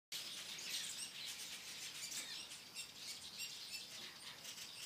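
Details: Many weavers busy building nests on a late summer evening at dusk in Ashburton, KwaZulu Natal, South Africa; a dense, continuous chorus of high chattering, sizzling and buzzy chirps, with no clear pauses.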